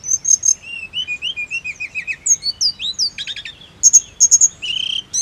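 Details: High, lively snowy-browed flycatcher song meant as therapy to make birds sing: repeated short whistled notes, a descending series of slurred whistles, then buzzy rattles, crisp high chips and a closing twitter.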